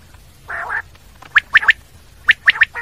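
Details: Common quail calling: a short, harsh nasal growl, then two quick sets of three sharp clipped notes, each set sharply accented and evenly spaced, over a faint low hum.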